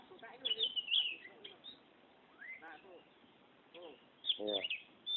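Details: Kacer (Oriental magpie-robin) singing in the lively ngerol style: bursts of high whistled and warbled notes with slurred rising sweeps, broken by pauses, plus a low harmonic voice-like sound near the end.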